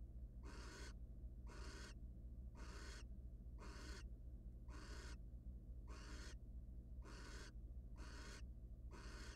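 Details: Nest box of wild barn owls, with the male bringing prey to his mate: a long run of nine harsh hissing bursts at near-regular intervals of about a second, backed by a quiet continuous hum.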